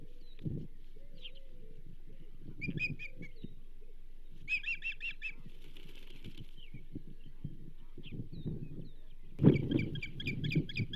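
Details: Osprey during a whitefish delivery to the banded female at the Charlo nest, 27 April 2024: heavy wing flapping and thumps, broken by short bursts of rapid, whistled chirps, with a loud flurry of wingbeats and chirping near the end.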